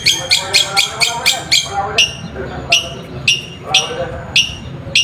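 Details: Long-tailed shrike song used as a lure to stir silent shrikes into answering; fast harsh chattering notes, then spaced sharp scratchy calls roughly every half second.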